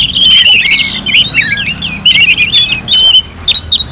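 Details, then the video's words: Orange-headed thrush song resembling a bird-contest simulation: a rapid, jumbled cascade of high whistles, chirps and short slurs with scarcely a break, over a soft low hum. "KICAUAN ANIS MERAH"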